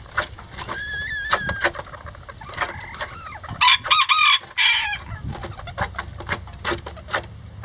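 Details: Rare Lavender bantam chickens, miniature roosters and a hen, building a nest together: soft rapid clucks and thin, wavering tonal calls, then a loud burst of harsh, strident squawking notes in the middle before the clucking resumes.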